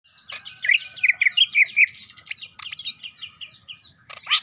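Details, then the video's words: Greater green leafbird singing a fast, varied song of chattering notes, buzzy rattles and slurred whistles between mid and high pitch, with a sharp rising whistle near the end; no other sounds stand out. "Ngetrok Parah !! Spill Cucak Ijo Jawara"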